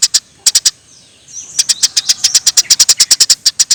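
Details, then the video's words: Eurasian tree sparrow recorded as tutor sound for training songbirds: very high, sharp chirps, a few single notes and then a long steady run of rapid evenly spaced chirps with a faint thin buzzy tone underneath. "Kompilasi Masteran Burung Gereja Gacor"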